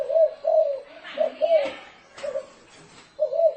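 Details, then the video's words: Spotted dove cooing in the thổ rền style, used as a decoy for luring doves: low hollow coos in short and long pairs, with a human voice briefly overlapping in the middle. "Tiếng chim cu gáy thổ rền mới hay âm thanh to rõ ràng ko tạp âm dùng kích bổi"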